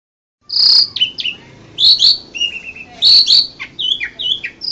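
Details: Asian pied starling, winning bird at an Indonesian singing competition in April 2014: loud clear whistled notes alternating with falling slurred whistles, in bursts about every second, with soft background murmur.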